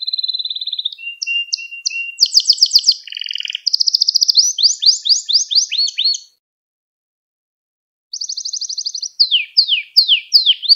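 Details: Canary singing as a teaching recording for young canaries: varied tours of steady whistles, fast rattling trills and repeated downward-sweeping notes, about four notes a second, pausing two seconds before a trill and descending sweeps resume.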